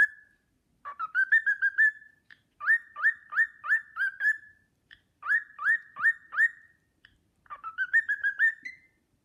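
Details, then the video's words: Whistled Sportpalast Waltz from a pet cockatiel: bursts of three to five swooping, rising whistles, each ending in a steady held note, separated by short silences, a final phrase climbing slightly higher. "Nymphensittich Carlo pfeift den Sportpalast-Walzer"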